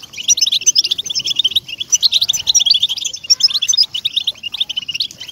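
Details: Singing European goldfinch on a track for motivating captive goldfinches: bright, rapid, bell-like chirps and twitters rolling continuously, loud and clear throughout.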